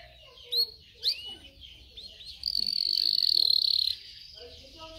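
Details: Singing canaries for training: two quick upswept chirps, then a loud, buzzy sustained trill held for about a second and a half before soft twitters return.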